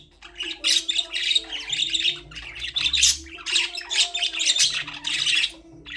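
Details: Continuous busy chatter from a group of caged budgies: harsh, buzzy warbled phrases and shrill chirps pulsing in waves about every second, with soft low droning tones underneath throughout.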